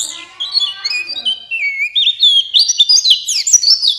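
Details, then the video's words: Lure song of a buxtoni white-eye, played to stimulate other white-eyes to sing: continuous high, rapid warbling with sliding whistled notes rising in pitch toward the end. "Pancingan Pleci Cepat buka paruh Gacor Ngalas Bukpar"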